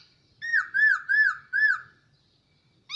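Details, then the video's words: Hwamei kept caged for a year repeats four mellow, arched, slurred whistles in quick succession, then falls silent before a sharp high note starts at the end. "Poksay noog sab hwj quaj zoo"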